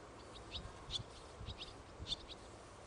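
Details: Young barn swallow, 1 August 2011: quick high tweeting chirps in loose clusters, some paired, with low thumping and rumbling noise underneath.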